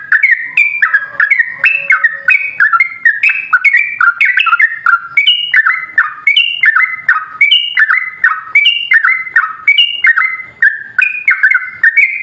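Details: Sooty-headed bulbul in long continuous song, used to make other bulbuls sing. For over twelve seconds, lively whistled notes jump between high and lower pitches in fast, bouncy phrases. A soft, low whistle sounds briefly in the background near the start.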